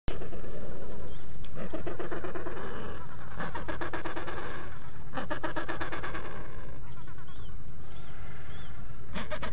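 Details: Adélie penguins at a colony, an adult feeding its chick, give harsh, throbbing bursts of calls about every two seconds, with faint thin high peeps between them and a steady rush of wind throughout.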